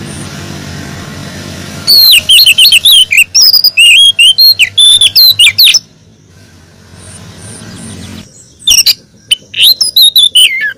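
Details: Oriental magpie-robin female calling a male: two bursts of loud, sharp whistled and chattering phrases, rapid and varied, separated by a pause of about two seconds with faint background hum.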